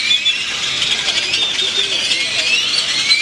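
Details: Many birds chirping loudly in the main square of Granada, Nicaragua: a dense, unbroken wall of high, shrill twittering and squeaky notes with no pauses, drowning out faint low urban sounds.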